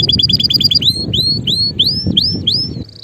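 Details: Male canary opens with a rapid series of short chips, then gives rising, slurred whistles repeated roughly every half second.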